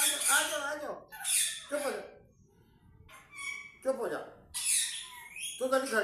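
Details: Talking parrot producing scratchy, speech-like syllables in clustered bursts separated by short silences, mixing gritty hisses with nasal tonal sounds.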